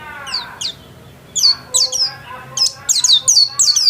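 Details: White-eye kept at home, singing actively: bursts of high, thin chirps sweeping sharply downward, coming faster and in clusters after a short pause, with fainter lower tonal notes early on.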